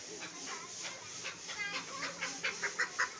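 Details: Tame male chukar set free outside, calling a quickening series of short, harsh chuck notes that grow louder toward the end, with laughter just before.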